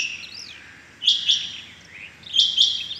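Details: Rain quail on a 6 July 2021 morning: two phrases of high, clipped notes about one and a third seconds apart, with a faint arched whistle from another bird at the start.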